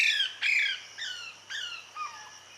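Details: Parrot mother feeding her chick: a run of loud, harsh squawks about half a second apart, each sliding downward, fading in strength toward the end, with a faint low hum underneath.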